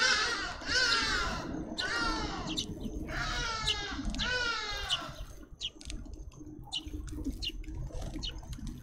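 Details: Fledgling grey-headed sparrows shouting at a parent for food at a seed tube: three loud, raspy, buzzy begging bursts about a second apart, then quieter scattered chips and background noise.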